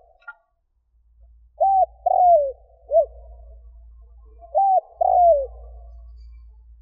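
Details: Spotted dove cooing to lure wild doves: two phrases of a short flat coo then a longer falling croo, a brief low coo between them, with a faint low hum underneath.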